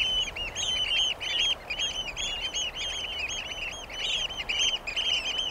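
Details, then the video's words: Eurasian oystercatcher, also called common pied oystercatcher, giving a fast, continuous stream of shrill, high piping notes, overlapping and tumbling over one another with barely a pause, over a steady low background hiss. "The song of the Eurasian Oystercatcher"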